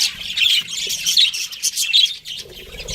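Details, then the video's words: A pet budgerigar from a breeding pair giving harsh squawky chirps and short grating notes, several loud bursts in quick succession with brief gaps. "cute budgies chirping sounds"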